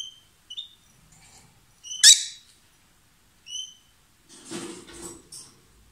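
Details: A couple of lovebirds calling loudly as they kiss and swap food: short clear whistled chirps, one loud piercing screech, then a raspy chattering passage.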